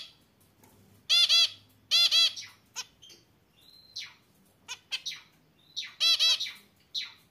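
A zebra finch sings, mixing nasal, buzzy honks with quick clicks and thin high chirps.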